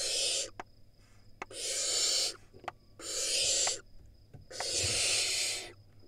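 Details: Wild barn owl nestlings in a nest box in Israel screaming at a sibling that reached the entrance: long harsh hissing screams of about a second each, broad and noisy, repeated with short gaps, with a few faint clicks between them.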